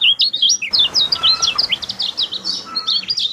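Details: Lemon-bellied white-eye singing in a lure track for a bird that will not sing: fast sequence of sharp high up-and-down slurred notes, roughly three per second, bright and lively.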